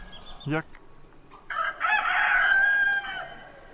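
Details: Rooster: a quick descending cluck comes first, then a strong crow swells and holds steady for about a second and a half before cutting off, over a quiet background.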